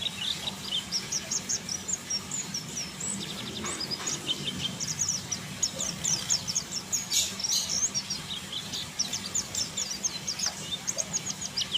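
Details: White-eye (pleci buxtoni) during mating: rapid high thin chirps and twittering notes in continuous busy bursts, over steady background hum and some faint voices.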